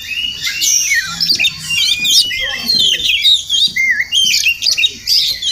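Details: Morning visit by a wild Oriental magpie-robin near a home: melodious song of looping whistles and quick twittered notes, delivered in short phrases with brief gaps, a faint low hum underneath.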